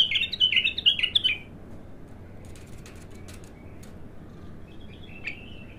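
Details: Untrained bulbul, known locally as abtar, singing for the first time: a quick run of bright, warbled, slurred notes in the first second and a half, then near silence with one faint short phrase near the end.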